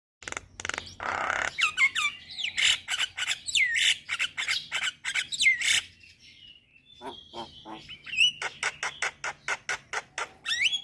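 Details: Starlings, a lure meant to make Javan myna, black-winged myna and hill myna respond: harsh, broadband rasping notes in rapid bursts, mixed with sharp rising and falling whistles and a drawn-out whistle near the end, all loud and close.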